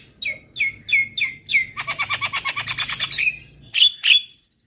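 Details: ['Javan myna, recorded to encourage caged birds to sing: four downslurred whistles, a fast dry rattling trill, and two sharp squeaky notes at the end.']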